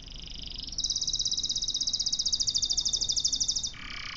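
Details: Canary trilling: a very rapid, even roll of high notes sustained for about three seconds, with a short buzzy phrase before and after.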